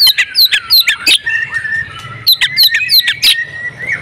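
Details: Female oriental magpie-robin in breeding condition, meant to make males sing: bursts of fast, bright, descending whistled chips, a short softer gap, then another quick run of sharp notes.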